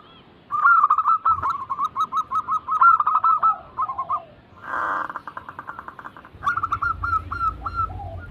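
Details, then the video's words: Zebra doves sing as a lure to spur reluctant birds: a long rolling run of short cooing whistles, a burst of broad rattling noise midway, then fresh hooked coo notes from another dove. "Pancingan ampuh atasi burung perkutut yang sulit Gacor"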